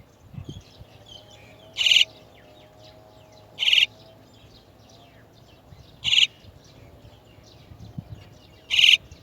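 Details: Chestnut-tailed starling adults fetching their young from the nest; four loud, harsh, screechy bursts repeated roughly every two seconds, with faint high twittering behind them.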